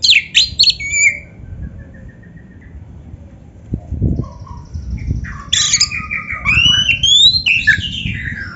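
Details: Oriental magpie-robin (kacer) training song: quick high chips and descending whistles, then a pause with faint soft notes, then a rich warbling run of rising whistled phrases.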